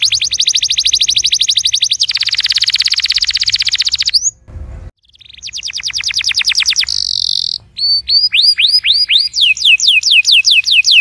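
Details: Canary singing, used to encourage a silent canary to start: fast high rolling trills, a brief gap with a low thump, then buzzy tours and a series of clear upward-sweeping whistled notes.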